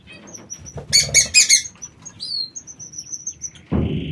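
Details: Aviary-kept king quail giving a quick triple burst of loud high chirps, then a thin falling whistle and a row of soft level peeps, ending in a buzzy, noisy trill.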